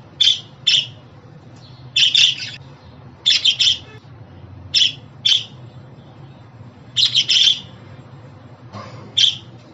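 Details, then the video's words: Sharp, scratchy chirps from a pet budgerigar arrive in quick pairs and triplets, separated by gaps of about a second, with a soft steady background hum. "Muhabbet Kuşu Sesi, Kuş Sesi! Muhabbet kuşu ötüşü, muhabbet kuşu çağırma sesleri!"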